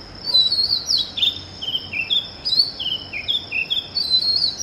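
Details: Early-morning Oriental magpie-robin song: a series of short, bright whistled notes, each dropping in pitch and repeated about twice a second, over a steady high-pitched insect-like hum.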